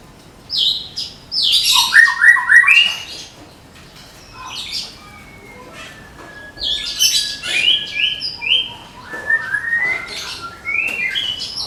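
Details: Medan-type white-rumped shama, caged and prepared for contests, singing tembakan bursts: clusters of rapid chattering and scratchy high notes mixed with short whistled slurs, separated by quieter gaps.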